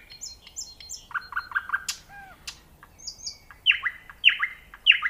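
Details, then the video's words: Nightingale singing: varied phrases of high whistled notes, a run of repeated rapid chirps, a low slurred note, then loud descending notes repeated about every half second. "صوت العندليب"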